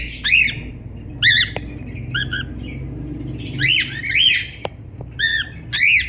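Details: Cockatiel giving repeated arched, harmonic-rich squawking chirps, each rising then falling, about one every second, with a soft low hum and faint clicks underneath.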